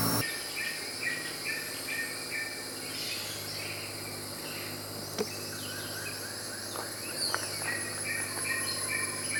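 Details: Dusky Broadbill (Corydon sumatranus) in Sandakan, Sabah, Borneo, giving short, thin, high notes in quick repeated bursts over a steady rainforest hum of insects and other distant birds.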